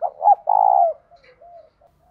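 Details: A brief phrase of a spotted dove singing in the 'thổ' and 'thúc gù' style, a morning call to lure wild doves. A loud short note is followed by a long, strong coo, then fading soft coos.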